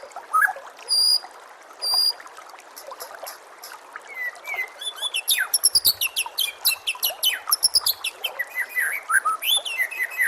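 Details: White-rumped shama song used to make caged contest birds sing: a few separate high notes, then a dense, varied outpouring of sharp chips, trills and sliding whistles that keeps building.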